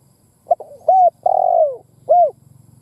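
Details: Spotted dove used as a lure bird, giving its call: two quick soft notes, a steady mid-pitched coo, a long drawn coo sliding downward, then a short arched final coo.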